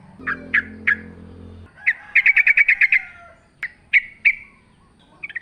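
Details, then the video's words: Yellow-vented bulbul in energetic wild-style song, used to lure caged birds into singing: spaced sharp chirps, then a rapid rattling string of bright notes and more single calls, with a low droning hum at the start. "trucukan gacor ngalas full suara alam"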